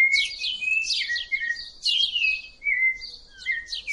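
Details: Rufous-bellied thrush singing: short bursts of clear whistled notes around steady pitches, mixed with sharper falling high slurs, phrases separated by brief pauses; quiet background.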